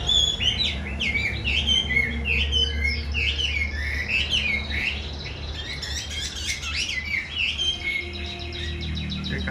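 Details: Dense, fast, jumbled whistles and chirps from a caged Chinese hwamei that has just finished moulting, over steady low background noise.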